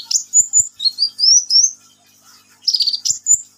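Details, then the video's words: Sunbird, called kolibri ninja, singing vigorously: a piercing series of high slurred whistles climbing in steps, a brief pause, then a dense scratchy twitter; soft low taps are audible in the background. "KICAUAN BURUNG KOLIBRI NINJA GACOR"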